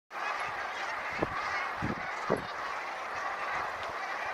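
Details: Brent geese on the River Exe, a flock giving a dense, continuous murmur of overlapping low, throaty calls that stays steady throughout, with a few faint thumps in the background.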